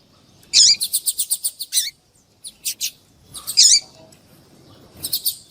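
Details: White-throated seedeater song with a female calling, played to excite a male: high bright phrases of rapid clipped notes and short twittery bursts separated by brief pauses.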